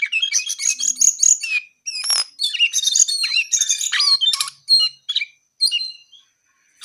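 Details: Chattering, whistled song from a brown-eared bulbul: a busy opening burst, then separate high slurred whistles and chirps with growing silences between phrases.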